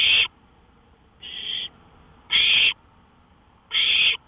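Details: Owl on a porch in the early hours of May 5, 2013, at 1:53 AM, producing four short, raspy hissing bursts, the second noticeably softer, with longer pauses between them.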